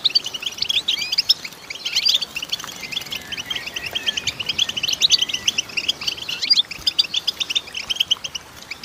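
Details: Goldfinch female in sustained song, a dense stream of quick high twitters and sharp chips that keeps going almost without pause, with occasional brief gaps and quiet hiss behind.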